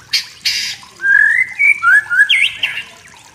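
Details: Wild white-rumped shama in forest, singing to goad rivals: two harsh, scratchy bursts, then a sequence of clear whistled notes rising and falling, with a bright looping whistle near the end.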